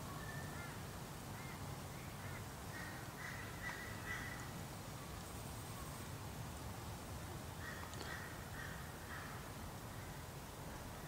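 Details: A wild sulphur-crested cockatoo, while eating macadamia nuts, gives harsh, grating screeches in short bursts, some drawn out, over a steady low rumble of background noise.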